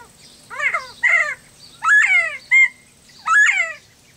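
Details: Pet quail kept caged in a yard, answering a played recording with loud harsh downslurred calls in bursts, several separated by pauses, plus one short clipped note.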